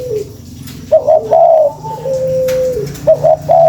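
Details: Spotted dove calling as a lure: a falling opening note, a three-part coo of two short notes and a longer one, a long even tone, then the phrase begins again.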